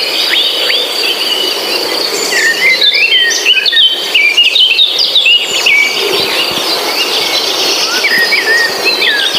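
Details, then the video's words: Forest bird chorus: a jumble of fast, high chirps and short whistles concentrated in the middle section, accompanied by a persistent buzzing insect drone. "suara kicau burung"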